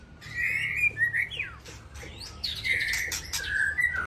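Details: Aceh white-rumped shama in evening song: drawn-out, slightly buzzy whistled notes alternating with quick downward slurs and brief scratchy bursts, over a faint low hum.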